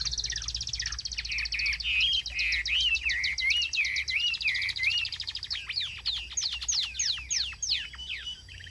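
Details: Chinese hwamei kept in a cage, singing strongly: rapid stuttering notes, then rolling wavy whistles repeated several times, ending in steep rising and falling sweeps, rich and varied.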